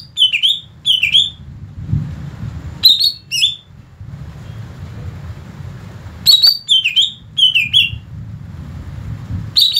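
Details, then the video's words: A greater green leafbird gives its natural song, used as a lure for other leafbirds: short bursts of bright, slurred chirps with sharp clicking notes, pausing a few seconds between phrases over a low background rumble. "kicauan asli cucak ijo"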